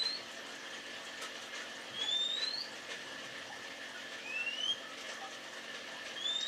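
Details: Male magpie-robin calling a female with short, rising, whistled notes spaced a couple of seconds apart, each sliding upward, against constant low background noise.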